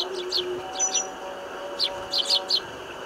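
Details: House sparrows (Passer domesticus) eating together in a group in winter, giving short bright chirps in loose clusters of two or three, several birds overlapping, over a faint steady low hum.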